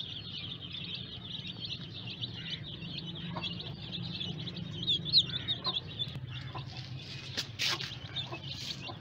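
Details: Newly hatched baby chicks peeping: a dense stream of high, thin cheeps repeated rapidly, many chicks calling at once, over a constant low machine-like hum, with a few louder clicks near the end.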